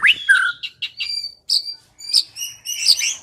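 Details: White-rumped shama song played as a lure for singing: a rising whistle and a low slurred note, followed by scattered thin, high piping notes with short gaps between them.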